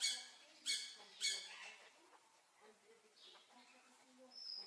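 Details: Blue-naped parrot uttering three sharp, grating squawks in quick succession, then near quiet with faint soft notes and a short thin whistle at the end.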